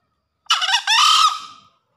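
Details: Green junglefowl male in full breeding condition crowing after heavy rain: one loud two-part crow, a short harsh buzzy note, then a longer raspy, slightly falling note fading out, about 1.2 seconds in all, against a silent background.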